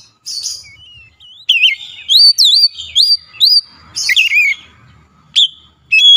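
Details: Agitated white-rumped shama in full song: clear whistled notes swooping and looping between mid and high pitch, delivered in loud bursts separated by short pauses, with sharp upward flicks and a few rapid chattering phrases.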